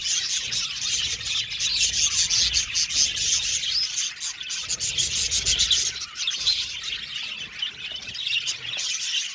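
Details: Aviary colony of budgies chattering together: a steady wall of high, scratchy chirps and warbles with rapid overlapping notes throughout.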